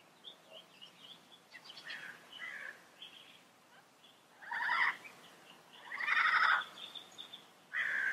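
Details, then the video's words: Yellow-headed amazon giving harsh squawking calls, loud broadband bursts near the middle and end of the recording, with quieter chattering notes between them. "Yellow Headed Parrot Sound Bird Call"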